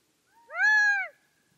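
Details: One strong, drawn-out nasal call from a Gambel's quail, arching gently and dropping at its close, preceded by a faint short lead-in note; no other sounds present.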